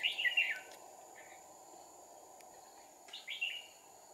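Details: Decoy red-whiskered bulbul giving its fighting song while two decoys lure a wild, tall-crested bird into a trap, 2/4/2019: a loud, quick warbled phrase, a soft note, a pause of about two seconds, then another bright phrase.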